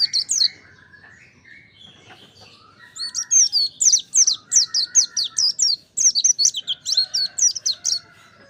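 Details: Mountain white-eye singing vigorously in a song-training recording: a quiet start with faint chirps, then from three seconds a fast run of high, sharp twittering notes, about two per second. Softer, lower whistled lines sound underneath.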